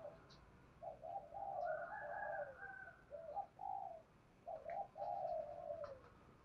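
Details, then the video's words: Spotted dove cooing used to entice wild doves to answer. Quiet, distant-sounding coo phrases of stretched, wavering notes in a steady background hiss, with occasional faint clicks. "Tiếng chim cu gáy kích bổi nhanh nổi hai hậu bổi nghe nhanh gáy và về cội"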